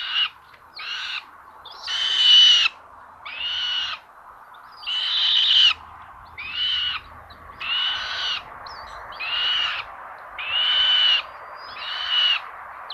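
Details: Common buzzards at a nest in Tiszalök, Hungary, on a solar-powered live nest camera, 30 May 2022 at 06:18, as a sister steals prey from her brother: harsh, hoarse squealing calls repeated about every second and a half, in ten bursts.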